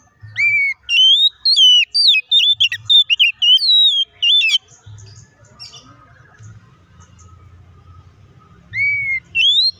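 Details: Oriental magpie-robin provoking song, played to stir a rival into quick aggressive singing. A burst of rapid varied whistles and twisting notes lasts four seconds, then a pause with low hum, then a rising whistle restarts the phrase.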